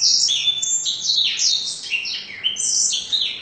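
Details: Canary singing a song filled with blackthroat phrases: high, bright trills and buzzy rolling notes, rapid and continuous, with frequent shifts between sharp downslurs and sustained warbles.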